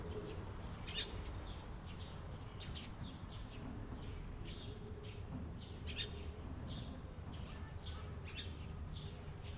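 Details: Eurasian tree sparrow recorded on 28 April 2022. Short, faint chirps are scattered irregularly across the clip, some in quick pairs. A steady low rumble of background noise sits underneath.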